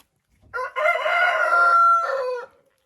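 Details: A rooster kept with hens at a country dacha, whose owner calls its crowing beautiful, gives one loud crow of about two seconds: a short opening note, a long sustained harmonic middle, then a brief falling final syllable.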